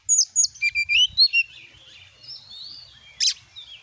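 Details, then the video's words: Oriental magpie-robin (Kacer) lure song: a quick string of about eight clear high notes, then softer drawn-out whistles and one sharp burst. "jadikan burung Kacer anda cepat gacor dengan pancingan burung Kacer ini"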